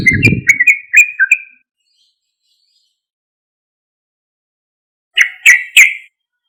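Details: Sooty-headed bulbul song used as a lure to draw response from other bulbuls: short bursts of bubbly, warbled notes around the middle-high range, a phrase of several notes, a long pause, then three sharp repeated chirps.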